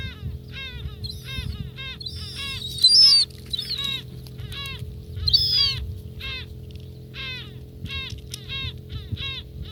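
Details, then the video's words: Close-up gulls at their meal in Northern Kazakhstan, uttering irregular series of arched, nasal harmonic calls, interrupted by loud high squealing notes, with a constant low droning background. "чайки обедают/seagulls have dinner"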